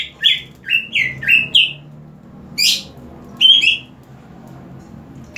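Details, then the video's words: Green leafbird in captivity, sprayed with water and singing more intensely: a rapid series of clear, slurred whistles, each dropping then rising, five in the first two seconds, then two more after short pauses. "CUCAK IJO INI DISIRAM AIR MALAH MAKIN MENJADI"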